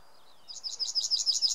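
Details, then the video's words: Yellowhammer in Samara Oblast, Russia, May 2016: part of a song, a quick run of about nine high repeated buzzy notes building in loudness, with faint low background noise. "Обыкновенная овсянка-2."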